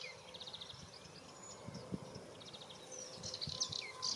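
A Sardinian warbler gives quick, scratchy chattering bursts of high notes, a short phrase at the start and another near the end, over low rumbling thumps.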